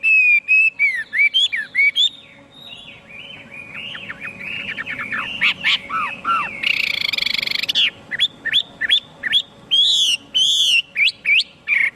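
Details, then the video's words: Chinese hwamei singing varied phrases: loud clear whistles, a softer quick chattering passage, a brief harsh buzzy burst, then more strong upslurred whistled notes repeated in quick succession; low hum present throughout. "tiếng chim hoạ mi hót cực hay"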